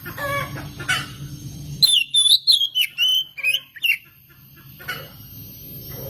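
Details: Oriental magpie-robin song meant to lure other birds into singing; a string of loud, fluty whistles, some sliding downward, delivered in quick bursts for two seconds, with low background rumble before and after.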